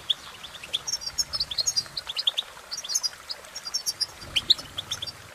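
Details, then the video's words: European goldfinch delivering a thinner, quieter twitter of scattered high chirps and brief trills, set against a faint hiss of background noise. "innovative Ways To impress The Goldfinch With Bird Melodies"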